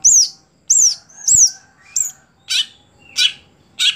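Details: Greater green leafbird kept caged for singing contests: three loud arched whistles sliding up then down, a softer fourth, then three harsh raspy buzzy calls spaced about half a second apart.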